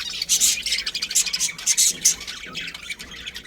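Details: Budgies from a breeding colony with a pair, sharp high squawks and chirps in quick bursts, loud and bright, spaced irregularly across the recording.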